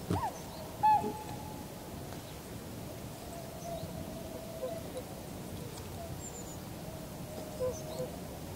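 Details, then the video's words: Tundra swan (Cygnus columbianus) in a wintering flock, 7 February 2015: a single clear, hooting bugle near the start, followed by fainter, softer calls from others, over a steady low outdoor rumble. "コハクチョウ "Cygnus columbianus" の鳴き声"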